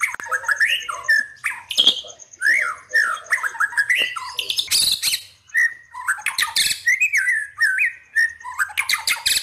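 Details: White-rumped shama lure song used to stir rival birds: continuous rich, varied phrases of slurred whistles mixed with harsh rasping bursts and chattering notes, loud throughout.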